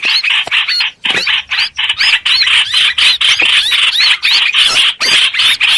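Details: Lively streak-eared bulbul singing, a trapping lure: rapid repeated squeaky, upslurred notes that chatter on almost without break.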